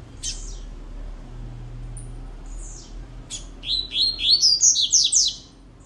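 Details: Caged rusty-collared seedeater singing a short phrase: a few scattered high chirps, then a fast burst of about nine sharp, descending whistled notes in under two seconds.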